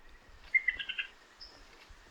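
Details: An Eastern Shrike-tit in ancient rainforest at Lamington National Park, Queensland, Australia, gives its chuckle: a quick run of five or six bright, chattering notes in half a second, over a steady high insect hum. Finding: Crested shrike-tit.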